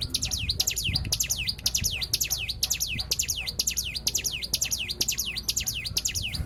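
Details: Lure song of a white-eye meant to get other birds singing, an unbroken stream of bright, high chirps, each sweeping sharply downward, repeated about twice a second, with soft low rumble beneath.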